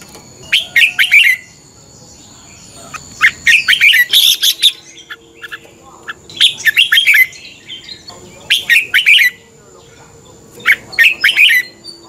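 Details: Red-whiskered bulbul fighting song for morning singing training, five energetic phrases of rapid, slurred whistled syllables across twelve seconds, with a faint steady tone underneath.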